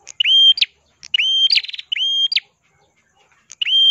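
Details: Red-headed prenjak kelawu (Ashy prinia), a lively 'crystal-voiced' bird for training songbirds, giving repeated phrases: a thin sustained whistle, a quick buzzing rattle, then a sharp rising note. A fourth phrase starts after a short pause.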